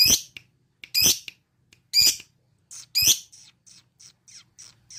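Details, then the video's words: Lovebird trilling while seeking a rival: four harsh, shrill, buzzy bursts about one second apart, followed by a string of softer, short high chips. "Lovebird ngetrik cari lawan"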